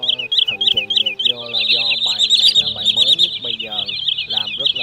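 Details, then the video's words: Common Greenshank and sandpiper calls used as a lure for night net trapping of migrating birds, August 2023 season: dense, rapid high piping notes in overlapping runs, over a background of spoken voice. "Tiếng Choắt Bụng Trắng , Rẽ Hôi Bẫy Lưới Đêm Chim Di Cư"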